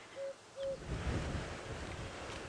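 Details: An African Cuckoo perched in view at sunrise in Djuma Game Reserve, South Africa, on 17 November 2016 gives two short, hollow, low whistled notes at the same pitch about half a second apart, followed by steady wind rumble.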